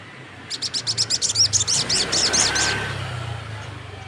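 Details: Crested jay (sogon) calling loudly while other birds join in answering: a quick series of about fourteen sharp, high ticking notes in under three seconds over a low background hum.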